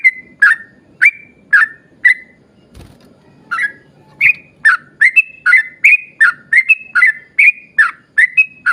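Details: Yellow-vented bulbul singing to lure others of its kind: a few spaced liquid whistles, a short pause with a soft thump, then a lively run of quick slurred notes.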